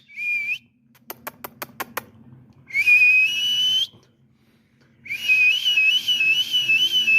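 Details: Pet ringneck parrot showing off its voice: a short pure whistle, a quick series of sharp clicks, then two long sustained whistled tones, the last slightly wavering.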